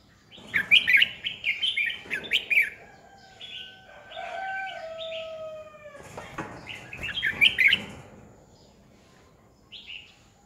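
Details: Red-whiskered bulbul decoy bird in competitive song used to train and stimulate other bulbuls: bursts of bright, warbled chirpy phrases, then long steady whistled tones sliding slightly downward, followed by another lively warbling burst and a short final phrase.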